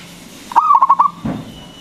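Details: Big-voiced local zebra dove singing as a lure for other doves: one brief rippling phrase of about five quick mellow coos, ending in a soft low thump.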